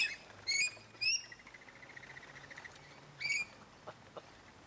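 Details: Among hundreds of rainbow lorikeets gathered at Lane Cove National Park, three sharp, upswept chirps stand out, two close together near the start and one after a pause, over a faint background of flock chatter.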